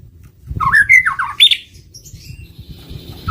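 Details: White-rumped shama lure song, a short burst of slurred descending notes and a sharp high note, followed by quieter, thin whistles and low background noise.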